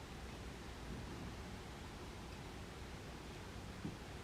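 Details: Steady hiss of outdoor background noise, with a faint low hum and one soft tap near the end.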